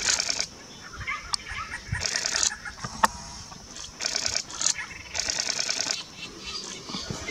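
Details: White-hooded babblers, a flock of about 11 mixed with Pale-headed parrotbills and Brown-crowned scimitar babblers, beside a forest road in Namdapha, Arunachal Pradesh, India, 6 February 2023; harsh, scratchy chattering bursts, four in seven seconds, with sharp clicks between.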